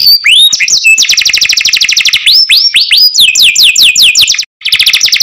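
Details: Canary cenkok song, clear and close: curving rising whistles, a fast even trill, more arched slurs and falling sweeps, then a brief silent gap before the trill resumes.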